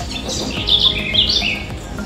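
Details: A young Southern House Wren, a fledgling still fed by its mother and perched in a tree near a house, gives a quick run of high, scratchy chirps and short trills over about two seconds, with a faint low hum.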